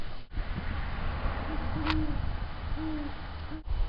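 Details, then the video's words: Two Great Horned Owls in the very early morning of November 7, 2009, in Pittsfield, Massachusetts, give deep, soft hoots, a few drawn-out notes spaced over several seconds, over a steady low rumble of wind or distant traffic. "Great Horned Owls"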